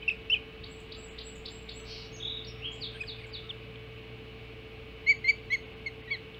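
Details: Osprey at its nest on Hog Island during the first breakfast feeding at 05:20 on 7 July 2016. High, sharp chirps come at the start, then a quick run of piercing notes near the end, over a steady hum.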